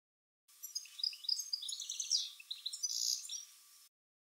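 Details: A small bird gives a rapid jumble of high, thin chirps and twittering notes, several per second, over about three seconds; recorded by smartphone with an improvised parabolic dish.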